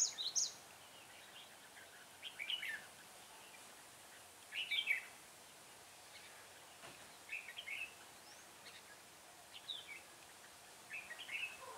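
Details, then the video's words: Decoy red-whiskered bulbul at a trapping site, recorded 6 December 2016, singing brief bright warbled phrases spaced about two seconds apart, each a quick tumble of chirps, over a constant hissing background. "Bẫy chào mào giọng hay mau mỏ"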